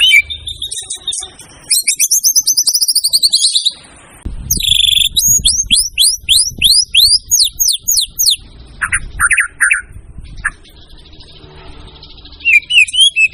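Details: White-rumped shama (murai batu) in a long, varied song burst from a training recording. It opens with a fast rattling trill, then a string of looping high whistles, scattered chips and slurred notes.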